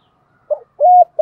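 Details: Luring call of a spotted dove, 'thổ sấm' voice style: a short low coo followed by a longer level coo and the onset of another, deep and mellow.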